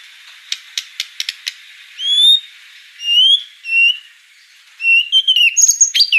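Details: White-rumped shama, gacor song: a quick burst of dry clicking notes, then long pure rising whistles spaced about a second apart, ending in a tumbling run of high bright notes.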